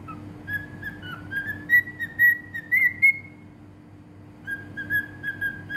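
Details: Cockatiel in Bahrain whistling a song: a steady, slightly rising whistled line with a run of accented pulses, a short break, then the phrase starting again, over a faint constant low hum.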